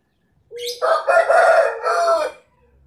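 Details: Rooster crowing: a short rising note, then a loud harsh, broken cock-a-doodle-doo in three bursts lasting about two seconds, ending abruptly, with a quiet background.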